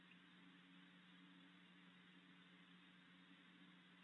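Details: Low steady electrical hum under quiet hiss, with no animal sound.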